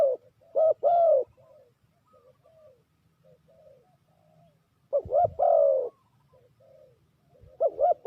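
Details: Spotted dove used to lure wild doves into a trap, calling in bursts: two sharp rising-falling coos and a long rolling coo, with quiet murmured coos filling the gaps and a dull thud near the middle.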